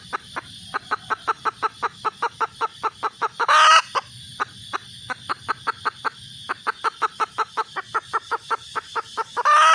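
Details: Red junglefowl hen calling for a mate: long runs of short, sharp clucks, about three per second, with brief pauses between bursts. Two loud, harsh, noisy blasts break in, over a low rumbling background.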